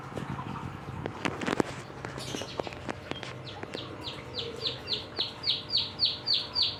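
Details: Young canary after one month of training, ending in a rapid series of about a dozen repeated downward-swept chirps, steadily rising in loudness, after earlier scattered notes, clicks and a brief voice.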